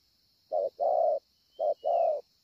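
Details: Spotted dove with a scarred breast, a 'bổi' bird, at Ngọc Hồi, Vietnam, on 25 March 2020, cooing strongly: two low two-part coos, each a short note followed by a longer rounded one, over a steady high background hum and a faint thin whistle.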